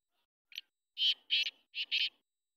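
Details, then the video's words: Black francolin roaming free, giving a harsh, grating call: one short faint note, then two pairs of loud rasping, buzzy notes, each pair close together, in quiet surroundings. "Kale teetar ki bahut hi acchi awaaz"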